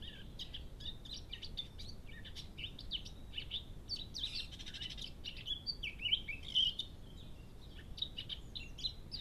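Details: Eurasian blackcap singing at 6:52 am on 21 March 2015 in Cambridge, UK, near a hedgehog feeding area visited by a cat: a fast, continuous warble of varied high, chattering notes over a low background rumble.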